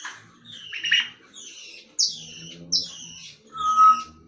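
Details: Talking grey parrot: a run of short, sharp whistled chirps roughly every second or less, ending with a steady, pure whistled tone.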